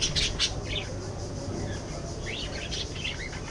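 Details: Budgerigars open with two sharp bursts, then give short rising and falling warbled notes and chirpy twitters, over a steady low hum.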